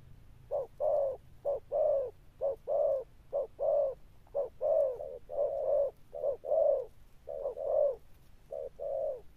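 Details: Wild-caught Spotted dove giving a long series of low Sấm Thổ coos. Brief notes alternate with broader, drawn-out ones in a steady rhythm of roughly one per second.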